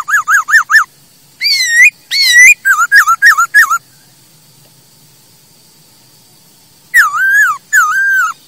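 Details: Masked laughingthrush song meant as a model for training birds: a run of wavering whistled notes, slurred rising and falling phrases, a long silence, then two more looping whistles.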